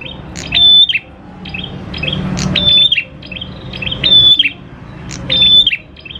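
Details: Prinia song used to prompt prinias to sing: loud phrases about every 1.5 seconds, each a steady high whistle followed by rapid chirps, with softer ticking between them.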